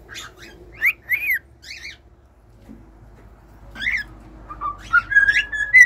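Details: Cockatiels calling: scattered harsh chirps and squawky rising notes with gaps of quiet, then a flurry of short whistles building at the close; low hum throughout.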